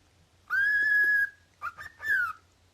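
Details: Loud, pure cockatiel whistle held level for nearly a second, then a quick stuttering two-note chirp and a shorter whistle that falls away at the end, heard against a quiet background.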